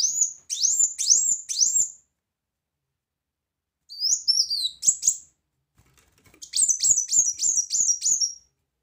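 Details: Brown-throated sunbird singing loud 'tembakan' bursts used for song tutoring: series of very high, sharp rising-then-falling chirps repeated about four per second in three bursts separated by short pauses; quiet background.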